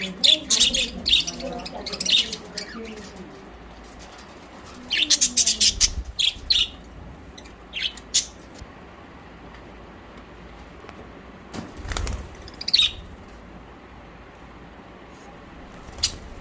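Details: Pet budgerigars, recorded on September 12, 2023, chirp in bright, scratchy bursts of high twittering with short pauses between.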